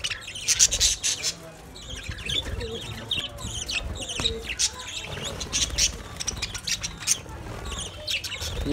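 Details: Budgies chatter among themselves with scattered high chirps and rasping trills over soft background music.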